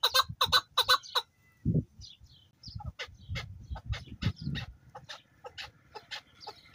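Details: Male local chukar partridge in high spirits, in fine weather, calling in a run of sharp, clipped chuk notes repeated rapidly, a few strong bursts at first, then a faster, looser series, with low thumps in the background.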